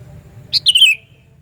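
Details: Sooty-headed bulbul giving a loud call used as a lure for bulbuls: a quick high pip, then a bright falling whistled phrase lasting under half a second, over low hum.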